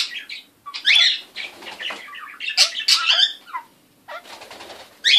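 A kakariki gives harsh, scratchy chattering and squawky bursts in irregular clusters, high and buzzy, with short pauses between them.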